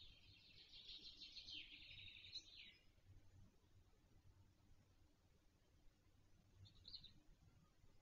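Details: The latest-hatched black stork chick at a nest in Wolsztyn, Poland, on 17 June 2024, gives a high, wheezy, rasping burst of about two seconds, then a brief second rasp, over low wind rumble.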